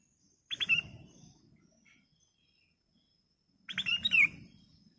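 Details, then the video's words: A ruby-throated bulbul, used as a lure to prompt other birds to sing, gives two short bursts of bright, chirpy whistled notes about three seconds apart, with a quiet pause between phrases. "Kicau Burung Kutilang Emas Gacor"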